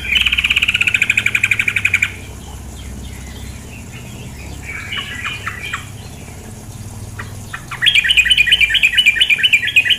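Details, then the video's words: Female sooty-headed bulbul over flowing water: a loud buzzy rattling trill opens, quiet scattered notes follow, then a fresh burst of fast, harsh chattering notes. "terapi suara trukcuk betina"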